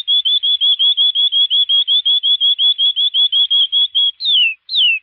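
A canary sings a fast, even run of about twenty bright whistled notes, roughly five a second, then two longer falling whistles. No other sounds.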